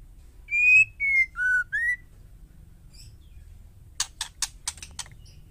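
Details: Calling female white-rumped shama, used to provoke males: four clean whistled notes, the first high and level, dropping and then rising again, followed by a rapid run of about six sharp clicks.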